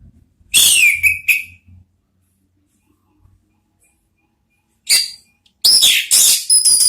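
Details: Song of an orange-headed thrush, played as a training lure for the 'ngeplong' sound and the 'ngeriwik' chatter. Short sharp whistled bursts are separated by gaps, and a richer warbling phrase closes the recording. A faint low hum sits underneath.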